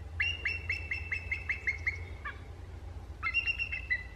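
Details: Bald eagle recorded on 12 January 2017 in Delta, BC, Canada: a fast series of about nine high, thin piping chips, then a second shorter burst with descending notes, over a constant low hum.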